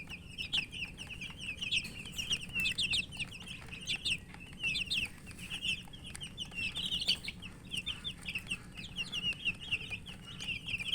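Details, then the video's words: A group of chicken chicks peeping loudly while eating, bursts of sharp high chirps in quick overlapping runs with short pauses, pecking clicks between them. "Murgi chicks Chirping sounds and eating"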